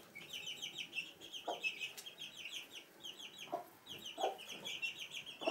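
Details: At Sandoval de la Reina in April 2016, chicks with their hen in a house room peep constantly in high, rapid, chirping notes, and the hen breaks in with four short, low clucks spread across the clip.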